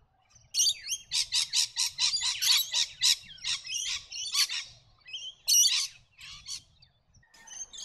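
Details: Scaly-breasted lorikeets, a species of noisy flocks along Australia's east coast, giving rapid shrill, screechy chattering notes in a fast run of about three per second, then a pause and further harsh squeals.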